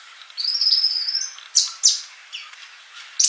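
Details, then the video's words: Sunbird singing from a tutor recording for active song: a sustained high, slightly wavering whistle followed by three loud, sharp chirps spaced apart. "MASTERAN UNTUK BURUNG COLIBRI GACOR"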